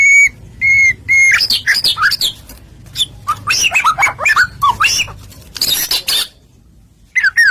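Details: Murai batu (white-rumped shama) in energetic song used to goad other shamas into singing: three clear steady whistles, then a dense jumble of chattering, twisting notes and rough bursts, then a pause.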